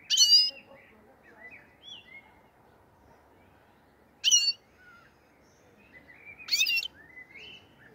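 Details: Black-headed goldfinch, a European goldfinch, from the Andijan, Kuva and Fergana area, giving three short bursts of buzzy, twittering notes spaced several seconds apart, with soft faint chirps between and a quiet background.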